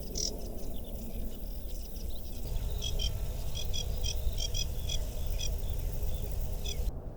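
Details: Young sedge warbler by a river in Małopolska, Poland, around late June, begging to be fed: thin, high chips repeated about every half second over a steady low rumble.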